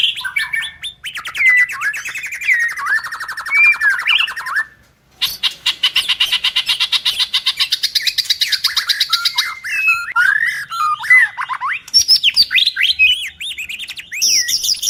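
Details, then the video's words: Male white-rumped shama, a caged songbird, in long varied song: rapid rattling trills, whistled slurs and harsh squawking notes, a brief pause near five seconds, then fast buzzy chattering and sharp rising whistles. "Suara Murai Batu bikin Cepat Nyaut anti Mental Drop"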